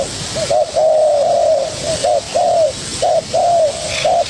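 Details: Spotted dove, young wild-caught bird, sparring eagerly with a decoy: run of mellow coos, stretched notes interleaved with short doubled ones, fairly irregular spacing.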